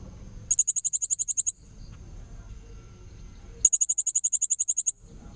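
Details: Blue-crowned hanging parrot played as a tutor for magpie-robins, delivering two rapid bursts of about a dozen piercing high notes each, about two seconds apart, with soft low background noise between.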